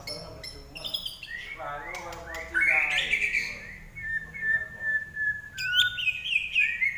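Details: Common iora singing lively for training songbirds; a scratchy twittering opening gives way to level whistled notes, then a bright rising flourish.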